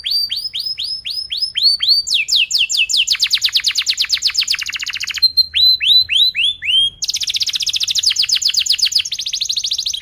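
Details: Singing canary with long, close-knit rolls and chirps, played to train young canaries. Rich, varied phrases of descending whistled sweeps, fast rattling trills and rapid repeated notes, switching pattern every few seconds, with no other sounds.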